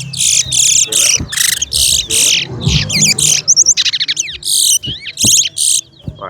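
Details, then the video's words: A Chestnut-bellied seed finch (towa towa) in a bird singing competition sings a fast, high run of buzzy trills and sharp whistled notes in quick bursts, with low crowd murmur beneath. "TOWA TOWA BIRD SINGING COMPETITION"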